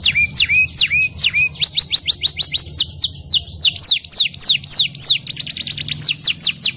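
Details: Domestic canary in full rolling song: continuous high descending sweeps in rapid series, with a few lower hooked notes at the start and a faster cluster near the end. A low hum sits beneath.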